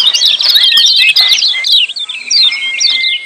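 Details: Lemon-bellied white-eye, rowdy 'ciak' calls intended to stir mute birds into song: a packed run of quick, high chirps followed by a long, steady whistle under scattered twitters.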